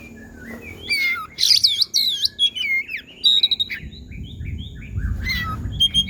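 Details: Oriental magpie-robin imitating a cat: a rich, varied run of looping whistles, mewing slurred notes and quick chirps, with a low rumbling background noise toward the end.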